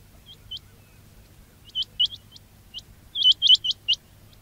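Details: A quail lure call for trapping: scattered soft high chips at first, then a tight run of five or six rising, whistled notes near the end. Low hum in the background.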